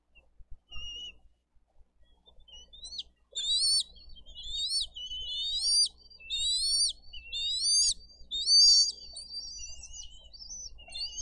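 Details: Bald eagles, Haliaeetus leucocephalus, at a Dade County nest cam, 22 April 2023, during fish delivery and feeding of eaglets. Loud, piercing upslurred whistles in closely spaced groups, roughly one per second, with near silence behind.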